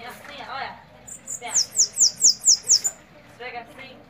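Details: Bananaquit singing: a burst of six very high, thin notes that each sweep sharply downward, spaced evenly over about a second and a half. People talk before and after.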